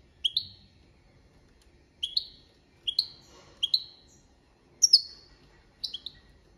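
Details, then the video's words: Goldfinch singing copia malaga, with paired bright notes that dip and then slide down. The pairs repeat roughly once a second in a steady, deliberate rhythm, with a quiet background. "Jilguero Cantando la copia malaga _ Goldfinch bird singing the wonderful sounds for training songs"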